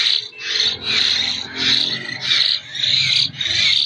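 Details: Hand-fed common hill myna nestling, a local bird from Jember, begging with rough, breathy screeches repeated in a steady, nearly continuous run, roughly every 0.7 seconds.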